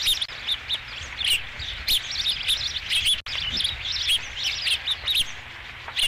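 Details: Ospreys at the nest, 5 July 2016, first fish of the day: insistent high whistled chirps in rapid runs, a short break after three seconds, then the chirping resumes just as densely.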